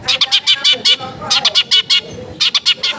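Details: Long-tailed shrike recorded in a crowded residential neighbourhood, aimed at prompting a quiet bird to sing: loud, grating, evenly spaced notes delivered in three quick bursts of four to six notes each.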